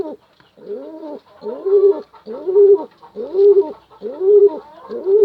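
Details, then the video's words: Pigeon cooing to attract a female, a regular sequence of deep, bowed coos spaced about every 0.6 to 0.7 seconds. "Suara Burung Merpati panggil betina"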